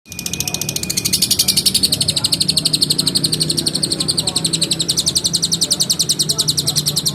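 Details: Lovebird delivering a long ngekek: a fast, sustained chatter of sharp shrill pulses, about four per second, held for the whole stretch without a break, over a faint low rumble of background noise.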